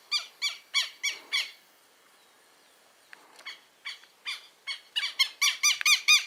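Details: Southern lapwing chicks, vocal from hatching; quick squeaky peeps, a pause of about two seconds, then the peeping resumes faster and louder.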